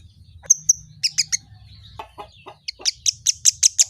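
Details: Kemade bird, said to respond to any sound; a short whistled note, then clipped high chips and lower notes, ending in a rapid steady train of loud, piercing high chirps.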